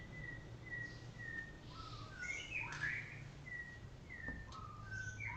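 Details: White-rumped shama of the Golden Shama type, singing while sunned in the morning: clear whistled notes repeated about every half second, then quick rising and falling phrases and slurred upward whistles, over a low steady hum.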